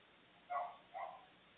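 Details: Maritaca parrot chick in its nest, picked up by a live nest camera: two short, harsh, nasal calls with a rough harmonic edge, about half a second apart, over a faint steady hiss.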